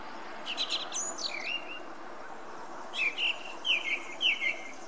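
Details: Song thrush song: a high sharp phrase with a dropping whistle, a pause, then a quick series of three or four similar bright slurred notes, set against a constant low rushing noise.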